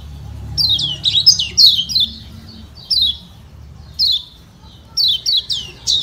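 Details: Lombok's kecial kuning white-eye, calling 'ciak ciak' to provoke rivals into responding. It opens with a quick run of about six downward-sweeping chirps, then gives single or paired chirps spaced roughly a second apart.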